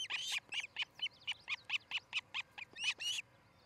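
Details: At a Charlo, Montana nest, an osprey of a nesting pair, filmed by camera early on a July 2018 morning, gives an uneven string of shrill, piercing chirps about four per second before stopping, with a quiet background.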